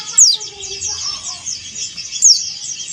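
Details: Two sharp, high, descending sweeps about two seconds apart come from a male dakun Bali Oriental white-eye calling to a rival, over dense high-pitched twittering with faint lower sounds.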